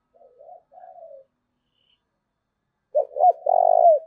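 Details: Spotted dove call for luring wild doves: gentle low coos, a pause of nearly two seconds, then a loud two-note stutter ending in a long, full purring coo.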